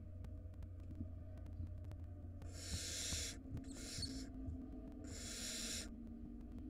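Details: Barn owl nestlings at their nest in a time of food shortage. Three coarse hissing screeches in a row, each under a second, above a steady low drone.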